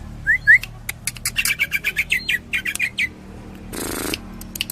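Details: Greater green leafbird (cucak ijo) with Cililin tembakan song: two slurred whistles, then a steady run of about ten short, harsh, repeated notes, followed by a fluttering noise and a few clicks.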